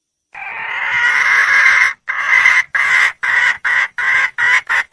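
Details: Hen red junglefowl calling to attract a male: one long, strained, rasping note, followed by a rapid string of about nine short harsh cackles.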